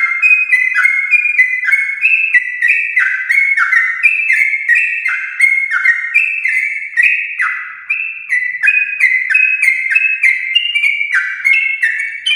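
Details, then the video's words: Long, energetic Yellow-vented bulbul song from a champion-lineage bird, intended to get pet bulbuls singing. Fluty whistles tumble in rapid stepped phrases without a break, with nothing else audible. "Trucukan gacor ropel panjang TRAH JUARA untuk pancingan trucuk rumahan"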